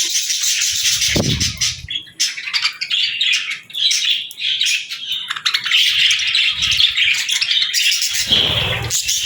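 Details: Baby budgerigars and lovebirds chirping as they feed and interact at feeding time; dense, overlapping high-pitched chirps and squawks run almost continuously, with a brief low thump early on.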